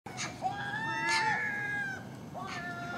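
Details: Common gulls feeding on garbage left out overnight at a house, early morning, with magpies and crows nearby: drawn-out, nasal, harmonic mewing calls, slightly falling, in three separate cries over a few seconds.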